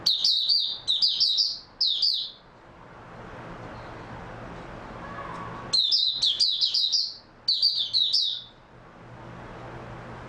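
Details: Oriental white-eye, 3 March 2022, pouring out dense high twittering phrases in a string for two seconds, then a long quiet spell with soft hiss before another vigorous run of rapid warbles.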